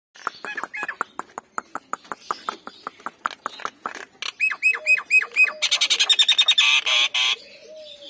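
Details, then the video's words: Nias hill myna, male and female, a talented singing bird: a run of sharp clicking notes, then loud repeated rising whistles and a burst of rapid harsh chattering notes. "Jalak Nias Gacor, 10 Detik langsung Bunyi, Jalak Nias Jantan dan Betina"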